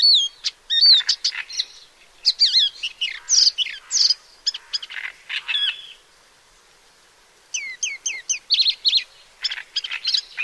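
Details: A paddyfield warbler, found in Central and Southeast Asia, sings clear, loud, rapid phrases of squeaky whistles, upslurred and downslurred notes and harsh chatters, with a short pause midway.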